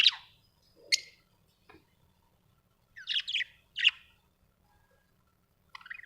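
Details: Pet budgies at home give sparse high chirps and quick rising and falling squeaky notes, separated by near silence.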